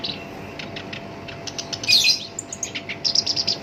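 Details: Brief burst of rough song from a kept black-browed reed warbler, used to trigger other birds: soft ticking notes build into a loud scratchy flourish, then a fast run of repeated high chips.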